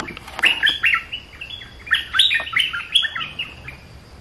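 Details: Bulbul song made of lively, chattering whistles, several quick notes run together into rippling phrases, one burst near the start and a longer run in the middle, with little other sound.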